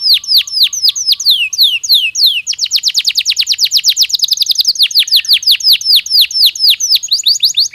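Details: Canary song offered to prepare birds for the breeding season: a long run of rapid down-slurred whistled notes, shifting into a faster, higher rolling trill about midway, then back to slower sweeping notes.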